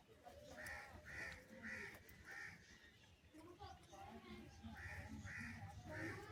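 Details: Crow calling for food at a feeding, a rapid series of rough caws in two bursts, about four then three, with low rumbling noise beneath.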